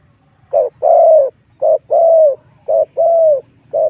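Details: Spotted dove giving a lure call to draw wild doves into combat: crisp alternating short and long mellow coos in a steady rhythm, close and clean, with faint low rumbling behind.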